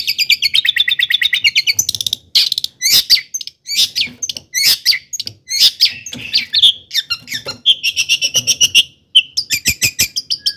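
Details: Long-tailed shrike singing a varied mimicking song, played to provoke other shrikes; rapid buzzy trills, harsh chatters and a sharp whistled note, with trilled passages repeating.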